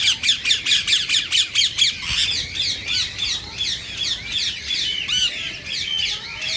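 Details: Green rose-ringed parakeet, played to stimulate other parakeets to sing and mate; evenly spaced shrill screeches about two per second, then denser, looser chattering squawks.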